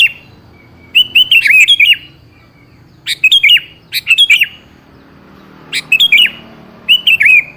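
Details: Sooty-headed bulbul phrases played to provoke a reply from a bird that rarely calls: cheerful, rippling whistled bursts recurring every one to two seconds, clean and close.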